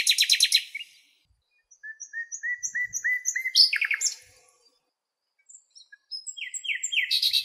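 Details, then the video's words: Nightingale singing wild in its natural habitat among fragrant lilacs in Greece: buzzy rapid repeated notes, then a series of pure whistles rising in pitch into a dense trill, a pause, and a fresh burst of fast, rattling repeated notes. "Αηδόνια Κελάηδημα"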